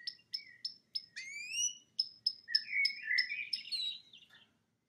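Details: Canary kept as a pet singing in front of a TV: a row of sharp, evenly spaced chips, then a rising whistle and a tumbling warbled phrase.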